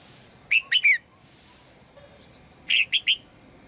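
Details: Morning calls of a female red-whiskered bulbul urging the male into song: three short, lilting whistled notes, then after nearly two seconds another matching trio, with a constant low hum behind.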